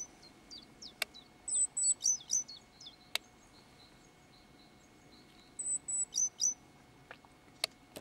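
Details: Great tit giving a rare communication call: two bursts of thin, very high, slightly buzzy notes in quick rising and falling runs, separated by pauses, with a few sharp clicks between.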